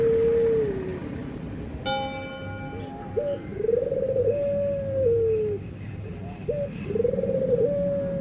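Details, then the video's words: Anggungan cooing of white and brown Barbary doves: a long smooth falling note, then rolling coo phrases ending in level drawn-out tones, with a brief steady whistle-like tone partway through. "PERBEDAAN SUARA ANGGUNGAN BURUNG PUTER PUTIH DENGAN PUTER COKLAT"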